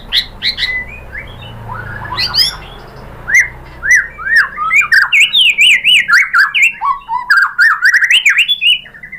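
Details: White-rumped shama (murai batu) singing as a lure to provoke other shamas: scattered high chirps at first, building into a lively run of repeated downslurred whistles and zigzag phrases.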